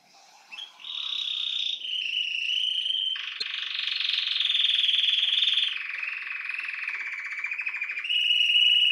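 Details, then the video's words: Domestic canary of the Belgian type singing sustained buzzy rolls that change pitch every second or two, ending in a higher clear roll; a faint tick is heard briefly. "CANÁRIO BELGA CANTANDO"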